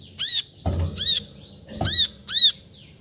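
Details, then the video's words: Brown-throated sunbird calling with four sharp, arched chirps, interrupted by two dull thumping noises. "Suara Panggilan Burung Kolibri Kelapa"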